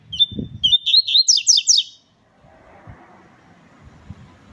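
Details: Rusty-collared seedeater warming up its song: a sustained high whistle, then a quick run of bright, chirping twittered notes lasting about two seconds, followed by near quiet with faint low background rumble.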